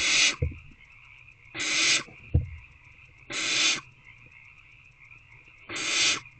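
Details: Owlets in Owl Box C waiting for a food delivery, evening of 3/2/24 at 6:28 pm, begging: four harsh, rasping hiss bursts about every one and a half to two seconds, soft low thumps between, steady high background hum.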